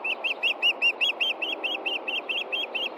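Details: Osprey at its Montana nest on a June 2013 evening, looking for the fish after chick feeding, giving a steady run of piercing whistled chirps, about five per second, each peaked and slurred, with constant low background hiss.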